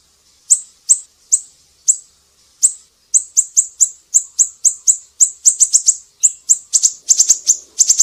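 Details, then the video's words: Tutor recording of an actively singing siri-siri for training cucak ijo, murai batu and kacer; thin high-pitched chirps start sparse, then speed into a dense run of quick repeated notes with short double and triple clusters. "Masteran burung siri-siri GACOR"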